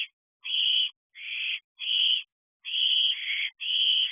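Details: Young barn owls, the eldest of a brood of owlets in their thirteenth week, together in a nest box at 2:14 am on 5 July 2023, with fireworks possibly unsettling them; harsh hissing screeches about half a second long, repeated irregularly, overlapping at times.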